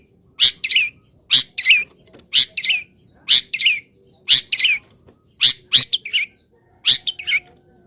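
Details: Long-tailed shrike singing in a cage after misting under morning sun: paired notes repeated about once a second, each a harsh rasp followed by a short downslurred whistle.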